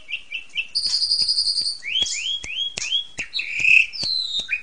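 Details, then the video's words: Asian pied starling singing energetically in the ngentrok style, used as a therapy song for training birds: short chirps, a sustained high whistle, then repeated rising slurred whistles among sharp clicks and a quavering trill. "RAJA TERAPI JALAK SUREN SUPER NGENTROK"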